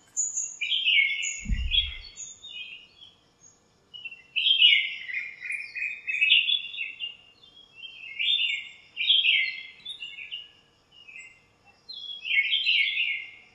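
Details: Birds chirping and squabbling in a lemon tree in a home backyard on a sunny morning; clusters of quick, high twittering phrases come every couple of seconds, with one dull low thump near the start.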